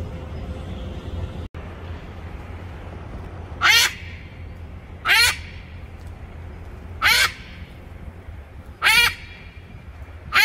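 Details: Pet blue-and-yellow macaw taunting its owner: four harsh, nasal squawks, each with a falling tone, spaced roughly every one and a half to two seconds over low background hum.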